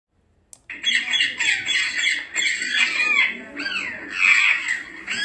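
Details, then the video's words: African grey parrot, also called yaco: dense, harsh squawking calls with raspy, bending notes, nearly continuous after a short silent start, with loudness rising and falling. "LORO GRIS , YACO. SONIDOS PARA LLAMAR , IMITAR, RELAJAR."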